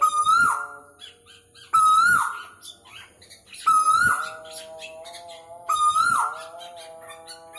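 A male Asian koel gives loud, clear, slightly rising notes about every two seconds, over a steady low droning hum.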